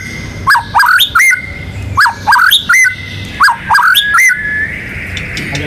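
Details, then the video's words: White-rumped shama, a national contest champion, singing loud upswept whistles in quick clusters of two or three, separated by short pauses, ending in a long sustained whistle over faint background hum. "MURAI BATU GACOR MANCING BURUNG LAIN BUNYI‼️ MATERI ISIAN NGEROL NEMBAK IRAMA LAGU LENGKAP ISTIMEWA"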